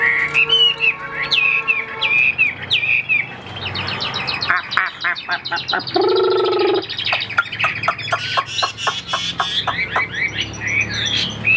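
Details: Caged Chinese hwamei sings varied whistles and slurs, then rattles off rapid staccato ticks. A short, steady hum-like tone sits in the middle, and dense chattering notes follow.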